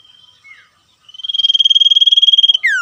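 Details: Male common iora trilling vigorously in the wild, calling back and forth with wild birds. Faint chirps and a short falling note come first, then a rising-onset pulsed trill held at a high pitch that ends in a steep descending whistle.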